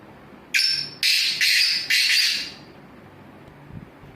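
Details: Black francolin calling: a loud, harsh, grating phrase of four rasping notes, the first short and the rest drawn out, run together over about two seconds, then quiet background.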